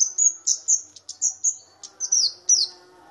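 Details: Lure recording of a flowerpecker, called cabe-cabean locally, small but loud: a steady series of high, sharp chirps and downslurred whistles, about three per second, with a faint low hum.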